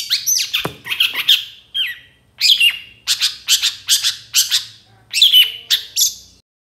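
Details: Long-tailed shrike song meant to get other shrikes answering and singing: loud scratchy, buzzy phrases in quick bursts, with a brief low thump near the start.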